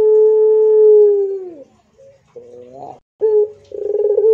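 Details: Pelung Barbary dove: a steady, drawn-out coo lasting about a second and a half that slides down, soft broken notes, then a short clear coo and a fast rolled, tremulous phrase.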